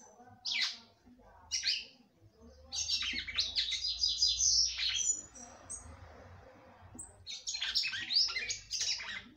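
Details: A female red-cowled cardinal sings a great deal, meant to stir up a male: two short chirps, then rapid bright twittering phrases, high-pitched and busy, with a faint low hum underneath.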